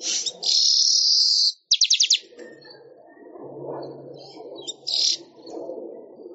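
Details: Weaver (manyar) song for training songbirds: a loud high buzzy hiss, a short rattle of rapid strokes, then softer scattered chirps over a low murmuring background noise.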